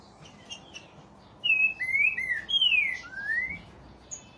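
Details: Green-winged Saltator (trinca-ferro) from Brazil singing a run of clear whistled slurs: a level note, then short falling and rising phrases, and one longer descending whistle followed by a rising one. Faint background hiss.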